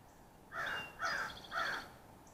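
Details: Carolina chickadee calling at a sunflower-seed feeder in the Great Smoky Mountains. Three loud, harsh, buzzy notes come about half a second apart, with faint high, thin tones running alongside.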